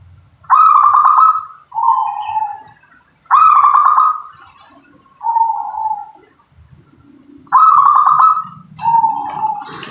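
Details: Perkutut lokal, the zebra dove, repeating its song three times: each a high pulsing trill followed by a lower, softer rolling coo, a regular phrase about every three to four seconds, with faint background rumble.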